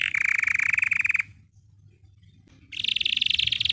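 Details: Belgian canary singing to train other canaries: a low, fast pulsed roll, a quiet gap of over a second, then a higher buzzy rolling trill.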